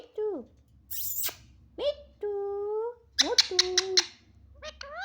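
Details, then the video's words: Pet parrot that talks a lot, making voice-like falling and level nasal notes, a hissy burst, then a quick run of sharp clicks and rising squeaks indoors. "बहुत बोलता है बहुत बात करने बाला तोता"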